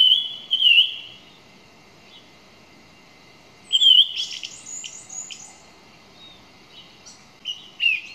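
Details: Song thrush singing: a couple of clear whistled notes, then a pause before a burst of buzzy, scratchy high phrases and a final short whistled figure.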